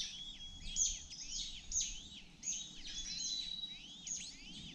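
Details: The youngest honey buzzard chick, hungry after missing out on bee pupae, begs with thin, high, sliding whistled peeps. They come in quick overlapping bursts about every second, over a low background hum.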